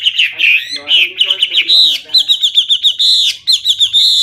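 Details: Loud, clear Hwamei song, full of varied phrases: warbled whistles give way to quick repeated bright notes, with brief pauses between bursts.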